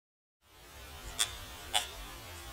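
A woodpecker strikes wood twice, about half a second apart, with sharp, dry knocks over a steady background hiss.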